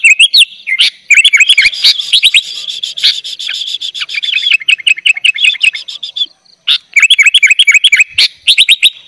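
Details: Energetic 'gacor' singing of a sooty-headed bulbul, rich in 'isian' fillers, meant for tutoring young birds: long unbroken stream of rapid scratchy chatter and twisting high whistles, almost without pause.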